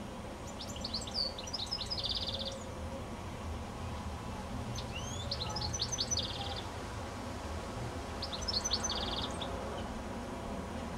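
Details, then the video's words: Singing goldfinch on a telephone wire before sunset in the evening, giving three similar phrases of quick high chirps each finished by a buzzy trill, spaced several seconds apart over steady background noise. "Goldfinch Singing a song"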